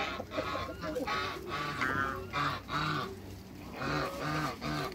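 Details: A group of six African and Toulouse geese meeting new geese honks over and over in short rough bursts, several birds calling at once in a rapid, uneven rhythm.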